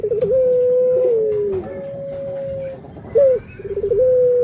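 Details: Barbary dove cooing, a bird shown nudging its partner playfully; long level coos with a quavering start and a sagging end, broken by a short sharp rising note, then another trembling coo that steadies.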